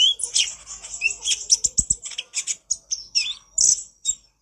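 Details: Konin, recorded for training birds, pouring out a busy nyrecet chatter: high rapid chips and brief buzzy notes strung together almost without pause, a few lower ticks underneath.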